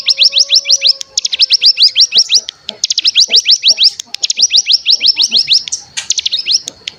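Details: Cigun decoy sound for rousing other birds, even untrained ones, to sing. Fast, regular streams of sharp rising chirps in several bouts of about a second each, with a soft low whistle near the start.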